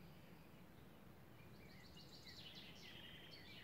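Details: Yellowhammer singing a quick run of thin, high, repeated notes, faint against a steady low rumble of wind or distant traffic; recorded at Breuvanne on 11 March 2017.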